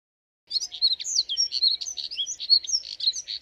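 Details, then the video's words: Moussier's redstart giving a rapid, jumbled warble of thin high notes, quick slurred whistles and scratchy chips in an unbroken three-second stream, quiet background. "Colirrojo Diademado Canto! Colirrojo Diademado Llamado! Voz! Sonido! - Phoenicurus Moussieri"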